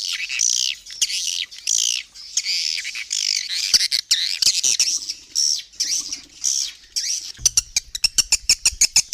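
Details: Borneo swiftlet calling sound, Raja Kalimantan type, meant to draw swiftlets in: rising and falling high chittering squeals in bursts, ending with a quick train of sharp ticking clicks.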